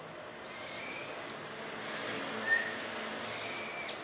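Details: A brown-eared bulbul, a wild bird that has been conversing with a person for ten years, recorded 21 January 2024, gives two loud, harsh, high calls about three seconds apart, with a brief thin whistle between them over faint background hiss.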